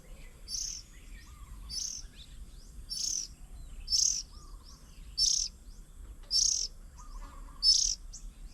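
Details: Oriental magpie-robin busy feeding its young at a fruit bird table in Nong Kwai, Hang Dong, south of Chiang Mai, Thailand, 8 June 2022; high raspy hissing bursts repeated about every 1.2 seconds, with faint low cooing notes behind.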